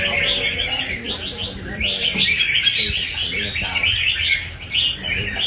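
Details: Captive red-whiskered bulbul, a kept songbird, performing rapid display behaviour. It gives a dense, continuous run of quick chattering and warbling notes, with overlapping phrases and faint background voices.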